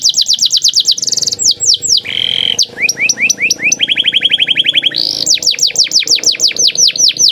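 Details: Canary in varied rolling song, played to make other canaries sing: alternating fast trills, a buzzy lower phrase, scattered sweeping notes and a steady run of repeated chips, over a low background hum.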